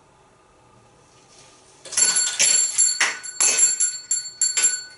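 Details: Quiet indoor hiss gives way to a bright bell jingling in quick bursts, ringing and then fading between shakes.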